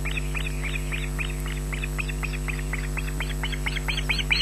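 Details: Smallest osprey chick on a Loch Garten nest, June 2012, 18:40, crying for food its parent does not have. Loud, high, clipped shrieks are repeated about four per second without pause, with a persistent electrical hum beneath.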